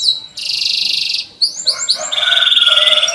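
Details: Canary song used as a lure for young birds learning to sing: a loud high buzzy trill, a run of quick rising chirps, then another long rapid rattling trill.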